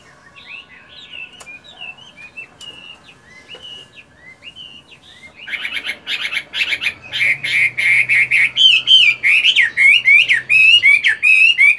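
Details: Chinese hwamei, a fighting-type bird kept as a songbird, in moult, doing morning voice practice: soft scattered whistles at first, then from midway a loud, fast run of rich warbled and slurred whistled notes, repeated rapidly to the end.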